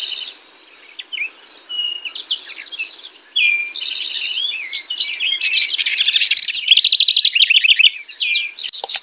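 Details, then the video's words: A house wren gives soft scattered chips, then launches into an exuberant bubbling song of fast trills and tumbling high notes, loudest near the end. "Singing House Wren.(Troglodytes aedon)."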